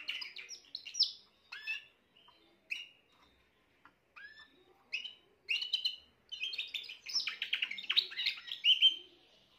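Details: Spanish Timbrado canary, a young bird from this year, singing on 14 June 2023: short chirpy bursts separated by pauses, building into a longer, dense passage of rattling trills and bright notes.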